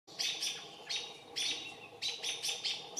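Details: American robins mobbing a barred owl, which barely moved over six hours, give sharp, high, scolding alarm notes in quick bursts, about two each second, with several calls overlapping.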